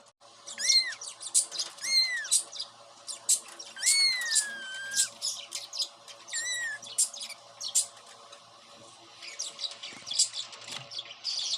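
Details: Pet cockatiel, described as grown from baby to young bird, giving clear whistled notes that arch and slide downward, several drawn out over about a second, mixed with quick high chirps and short pauses between bursts.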